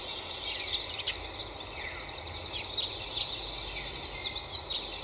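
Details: Little birds in springtime trees call with scattered high, sliding whistles and short chirps, a few rising sharply, over a constant rushing outdoor noise.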